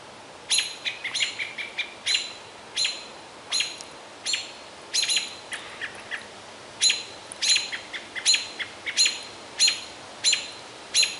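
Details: American robins in Minnesota's boreal forest, around noon on a hot (almost 90F) day, give sharp, high chipping alarm notes, one or two a second unevenly, while mobbing a juvenile great horned owl.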